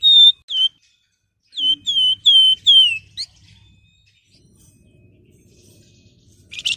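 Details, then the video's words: Whistling of a flamboyan, used as lure and training material for other birds: two clear whistled notes, a pause, then a series of four falling-tailed whistles and a short note, quiet low background afterwards. "Suara Istimewa Siulan Flamboyan buat Pancingan maupun Masteran"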